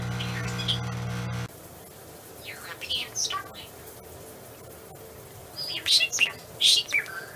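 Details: A trained European starling mimics words and phrases about its invasive introduction to North America, plus some unintended mimicry, in a jumble of slurred, voice-like phrases and sharp chirps, opening with a brief harmonic, music-like tone.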